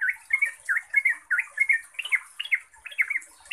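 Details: Yellow-vented bulbul chattering song played as a lure to make other bulbuls respond: quick burry notes repeated about one and a half times per second, some rising and bending, over a steady high hiss.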